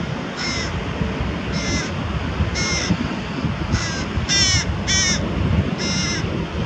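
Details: Near Diemerbos on 22 July 2020, a carrion crow with prey feeds its young; seven brief, hoarse, nasal calls come in an uneven series, some close together, over a low background rumble.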